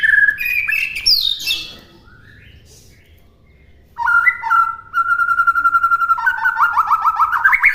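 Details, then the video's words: White-rumped shama master song for imitation: opening whistled phrases, a two-second pause, then a rapid, even trill held steady that speeds up and rises toward the end. "MASTERAN MURAI BATU MUDAH DI TIRU AUTO LANGSUNG LATAH"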